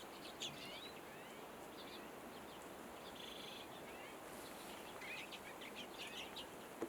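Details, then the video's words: Common redpoll giving thin, buzzy chips and short twittering bursts, with a quick chattering run near the end, all over a steady background hiss. "Auðnutittlingur - Redpoll"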